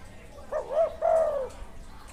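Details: A wild spotted dove with fine karam delivers one coo phrase: two short rising-falling hoots then a long drawn note sliding down, over a low rumbling background.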